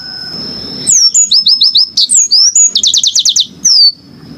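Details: Yellow-fronted canary song, very clean: a rapid sequence of swooping whistles, quick rising chip series and a dense high trill within a few seconds, ending in a falling whistle, with a faint steady high tone behind.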